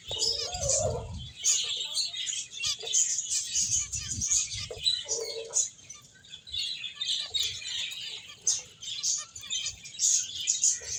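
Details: Many finches playing and eating fill the scene with continuous high chirping and tweeting, broken by a few soft low thumps and brief lower notes.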